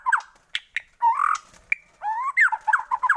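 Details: White-rumped shama in a lure recording for prompting shamas to sing; harsh squawking notes mixed with short chirps and rough slurred whistles, broken by brief pauses.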